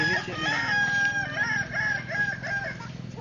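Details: Kukuak Balenggek rooster at a crowing contest in Solok, staked to the ground, producing a rhythmic run of short looping notes, each bending up then down, roughly three per second, over a constant low mechanical drone.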